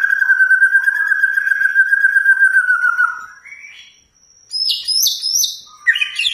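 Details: White-rumped shama performance aimed at provoking another shama to sing: a long, fast, even trill held for three seconds, a short rising note, a pause, then bright high whistled phrases.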